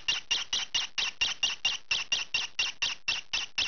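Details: Young green pied rosy-faced lovebird, kept as a pet, calling noisily while scratching: a steady series of harsh, high squawks, about sixteen in under four seconds, each short and evenly spaced.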